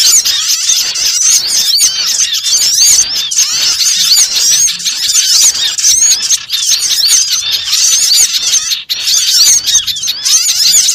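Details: Small birds in full chorus for a trapping lure, with high squeaky, curving chirps massed into a steady, continuous chatter and one brief drop in volume near the end.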